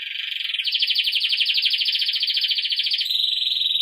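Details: Belgian canary singing a training song for young birds, a continuous dense rolling trill that steps up in pitch after half a second, holds steady for over two seconds, then drops to a smoother lower trill.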